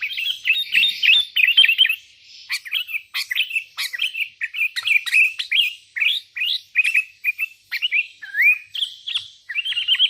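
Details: Lively sooty-headed bulbul calling out to rivals: a dense, unbroken run of short, bright chirps and slurred whistled notes, rising and falling in quick succession for the whole stretch.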